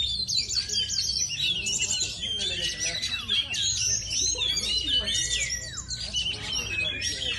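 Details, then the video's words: Kacer, an oriental magpie-robin, giving a continuous medley of high whistles, slurred notes and chattering trills, varied and unbroken, over a low background hum. "Kacer NGEPET"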